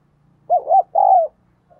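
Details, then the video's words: Decoy spotted dove cooing to excite males. A single clear phrase: a wavering double coo and a longer, steady, slightly falling coo, with a faint coo at the very end. "Tiếng Chim Cu Gáy Kích Bổi Căng Lửa Hiệu Quả, Thúc Gù Rất Sung - Chim Cu Mồi"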